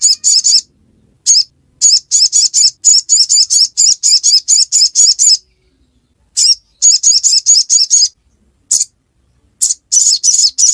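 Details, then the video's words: Ruby-cheeked sunbird in ngiriwek-style song: rapid bursts of very high, sharp chirps, each burst five to fifteen notes, separated by short silences over eleven seconds; no other sounds. "Kicauan ngiriwek pastikan sogok ontong bahanmu ikut bunyi"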